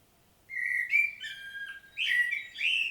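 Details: Powerful common blackbird song from Świnoujście, Poland, 25 September 2022, with sustained clear whistled notes and slurred fluting, followed by buzzy, chattering high flourishes.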